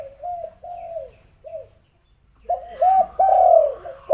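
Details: Spotted dove calls meant to lure lazy doves into calling: a few soft coos, then a silent gap, then louder rolling coos running together near the end.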